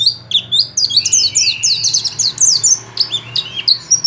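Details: Pleci from Pacitan, a white-eye, pouring out a fast, dense series of high slurred chirps and squeaky notes, a brief thin whistle partway through, delivered in quick bursts over a low background hum.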